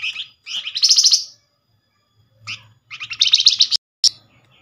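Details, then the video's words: Nyerecet chatter of a Flamboyan bird used as a quick lure: short high notes leading into a buzzy rattling burst, a pause, then another rapid chattering run ending in a sharp chip. "Flamboyan call nyerecet pancingan cepat paling direspon"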